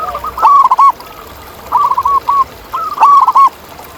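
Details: Zebra dove in the wild, a local bird with a big voice, repeating three short bursts of rapid, soft, rolling coos within four seconds, steady in pitch, over a constant background hiss.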